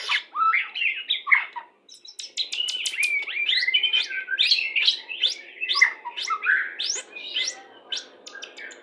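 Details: White-rumped shama of the Pastol type singing to bring birds into breeding condition during pairing; a short burst of slurred whistles, a brief pause, then a fast, busy stream of rising sweeps and clicking notes.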